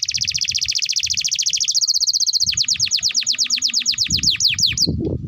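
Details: Canary delivering a long master song for young canaries to copy: a dense high trill, then rapidly repeated descending whistles that slow and sweep lower toward the end, with some low background rumble.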